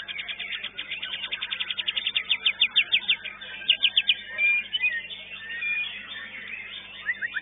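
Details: White-rumped shama singing at a bird-singing competition: fast series of sharp repeated notes, then scattered whistles and chatter over a noisy crowd background.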